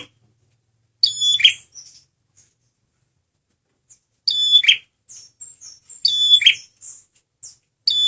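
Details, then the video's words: Male red prinia lure song: repeated loud phrases of thin high whistles and a buzzy descending rasp, spaced two to three seconds apart, with small high chirps between phrases. "SUARA BURUNG PRENJAK MERAH PEMIKAT GACORRR"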